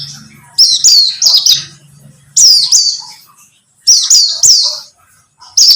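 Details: Lure song of a buxtomi white-eye, meant to prompt other birds to sing. Short bursts of high, thin, slurred chirps come about every one and a half seconds, separated by brief silences. A low hum runs underneath.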